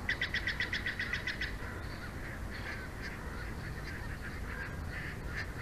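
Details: Bald eagle nest cam in Big Bear Valley, pair's nest, 06/04/2024 at 22:36: opens with a fast run of about ten shrill piping notes in a second, followed by softer scattered calls and a steady low hum.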